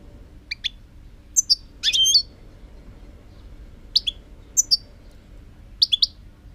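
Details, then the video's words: European goldfinch singing in 2018: bright, twittering bursts of high chirps and short tinkling notes in scattered clusters, some buzzy slurred elements, with quiet gaps and low background hum. "chant chardonneret 2018"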